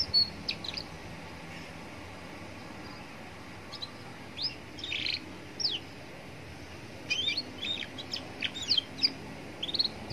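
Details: Roadside lure song from a young canary for prompting other canaries to sing. Sparse, scattered high chirps and short whistles at first, then a denser cluster of quick notes near the end, over faint background noise.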